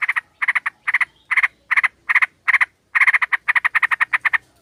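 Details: Sooty-headed bulbul flock lure, with a female calling males: rapid grating chatter in groups of two or three notes, speeding into a dense run of harsh notes near the end.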